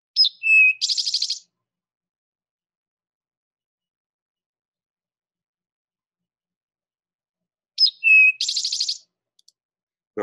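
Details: Eastern Towhee giving its 'drink your tea' song twice: two sharp high notes, then a buzzy trill, repeated about seven seconds apart; a sweet, musical song, sometimes slightly hoarse, sung often in spring.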